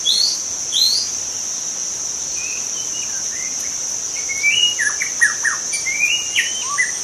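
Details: A young forest-dwelling white-rumped shama delivers scattered whistled phrases, then a dense burst of sharp, descending and rising notes near the end, with a continuous shrill insect hum behind.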